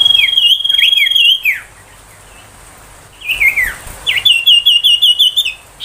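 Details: Ashy tailorbird (sirtu) song, used to tutor magpie-robins and to bring young tailorbirds into song: rapid trilled series of sharp notes, a short pause, then a faster even run of about ten ringing chips.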